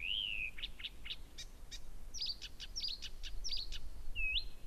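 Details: A Blyth's reed warbler singing constantly and very loudly at 1 a.m. on 15 June 2014 at Gerå Engvej, Denmark: unhurried phrases of clear slurred whistles and dry ticks, each motif repeated two or three times, over a low steady rumble.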